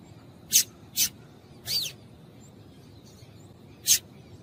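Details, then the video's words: Calls of a female double-collared seedeater, meant to excite males into song: two quick sharp chips, a slightly longer sliding note, then a lone chip after a pause. "Piado de Fêmea de Coleiro para Esquentar Coleiro"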